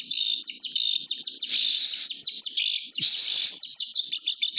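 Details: Lively white-rumped shama singing, meant to coax quiet shamas into song: dense, fast sweeping whistles and chattering notes in an unbroken high stream, with brief harsh noisy bursts.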